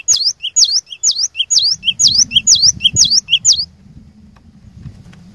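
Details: Cinereous tit (glatik batu) singing as a lure to provoke other tits into song: a fast series of about eight high, sharp two-note phrases over roughly three and a half seconds, then quiet with a low rumble.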